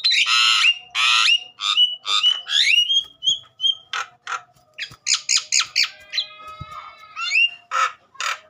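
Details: Javan myna in agitated song meant to stimulate other mynas: broad harsh squawks, chattering clicks and ratchet-like rattles, ending with thin whistled notes, over a faint steady hum.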